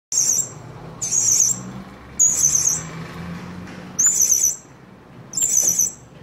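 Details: Blue-crowned hanging parrot calls used as a trapping lure to draw other birds in: five short, very high, buzzy trilled bursts about a second apart, each roughly half a second long, over a low background hum.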